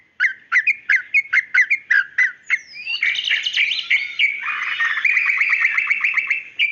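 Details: White-rumped shama, a female calling the male, opens with evenly spaced repeated chirps about every quarter second, then breaks into a continuous buzzy, warbling stream of notes.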